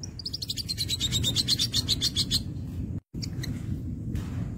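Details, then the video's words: A crimson sunbird sings actively, a fast, high, sibilant trill that slides slightly down then levels off for about two seconds, over a steady low rumble, followed by a few stray high notes. "sogok ontong gacor"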